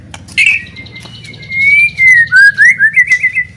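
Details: White-rumped shama, loud provoking song: a sharp opening note, a long level whistle sliding gently, then a descending slur and a run of quick rising warbled notes repeated several times a second.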